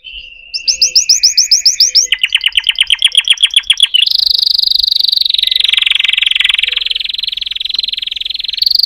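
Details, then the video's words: Chant canary gives a low soft trill, then quick chirping notes repeated about five per second, followed by a long loud continuous rolling tour that wavers slightly in pitch. "chant singing canaries 12 تغريد الكناري"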